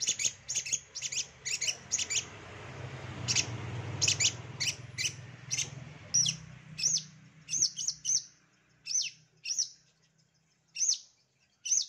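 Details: Master song of a long-tailed shrike to stir lazy birds into song: a fast volley of sharp high notes over a low hum, thinning to single spaced piercing calls.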